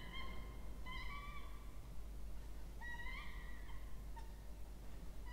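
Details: Two peregrine falcon chicks at a water-tower nest box in Orange, New South Wales, Australia, being fed on 20 October 2024; a few sparse drawn-out harmonic whines, softer and spaced about a second or two apart.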